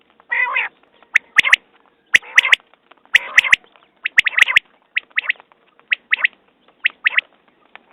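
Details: Common quail: a drawn-out nasal note opens, then crisp triple-clicking notes repeat roughly once per second. Later phrases grow softer and more spaced. No other animals are heard.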